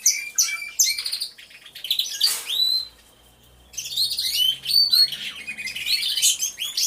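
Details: Canaries in an aviary, all singing at once, recorded by a hidden camera; bursts of high rolling trills and sweeping whistles, a quieter gap near the middle, then the chorus resumes.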